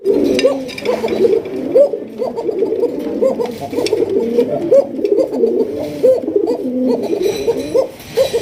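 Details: Original Basiraj Koka pigeons, a domestic breed described as very loud callers, kept in a loft in Bangladesh; many birds coo at once in dense, overlapping rolling phrases with upswept notes, and faint clatter sounds in the background.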